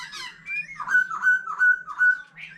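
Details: White-rumped shama, a mature bird from the forest singing with a laughingthrush, gives a short burst of warbling and then four clear whistled notes, each repeated about every 0.35 seconds, ending with a rising note.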